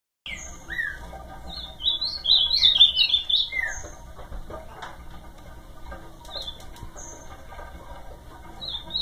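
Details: Ultramarine grosbeak singing a warbled phrase of rich slurred whistles, rising and falling notes bunched in the middle of the clip, then quieter scattered notes and a faint high whistle, with a low steady hum underneath.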